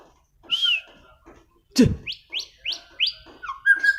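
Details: Singing white-rumped shama: a clear whistled note, a sharp click, then a string of rapid rising whistles repeated several times and ending in lower slurred phrases.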